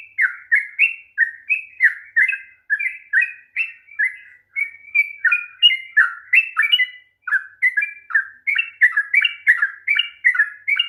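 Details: Sooty-headed bulbul in long rapid 'ropel' song, a lure for a bird that will not sing: eleven seconds of steady, chattering whistled notes, many falling in pitch, about three per second, with a couple of brief breaks.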